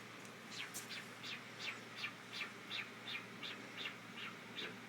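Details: A pet cockatiel gives a quick series of sharp, chirpy calls, roughly three each second; owner says it swings from angry to happy very fast.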